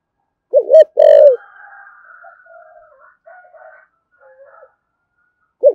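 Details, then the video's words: Spotted dove in 'thổ sấm' cooing style, 'thúc gù' and calling coo: one phrase of a wobbling double note then a sustained low coo, followed by quiet faint warbling from other birds, and the next phrase just beginning at the end. "cu gáy thổ sấm THÚC GÙ và gáy gọi chuẩn nhất hiện nay"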